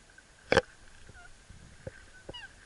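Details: Black swan during its mating dance giving one loud, harsh honk, followed by a few faint, softer rising notes over a quiet background.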